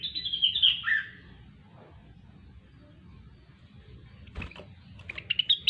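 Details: Grey-cheeked bulbul, locally cucak wilis, opening with a loud slurred chattering phrase in 'gacor' style, then background rumble and noise, with a few sharp notes returning at the end.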